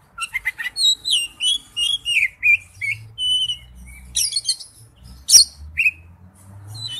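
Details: Oriental magpie-robin used as a lure, singing a sequence of sweet whistled phrases with downward and upward slurs. A sharp click and a faint low hum sit in the background.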